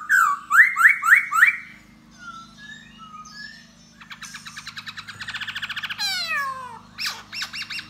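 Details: Laughingthrush of the 'da bò' type in courtship song and dance. Four loud rising whistles come in quick succession, then soft warbled notes, a long buzzy rattle, a descending slur and brief chips. Steady low hum underneath.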